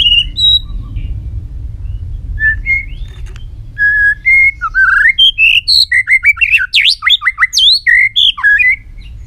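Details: Long, many-voiced song from a white-rumped shama flicking its tail. Scattered whistles build into a fast burst of sharp, descending and rising notes repeated in quick succession.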